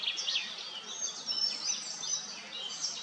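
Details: Common starlings bathing at Kápolnai kobolya, Madocsa, filmed with a Nikon P1000. High thin chirps and squeaky slurred notes overlap continuously in a busy chatter, with no low sounds.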